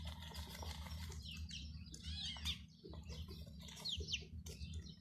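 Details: Chicken chicks with a hen, scattered high peeps and a few rising and falling chirps mixed with rustling and fluttering sounds, over a low droning hum.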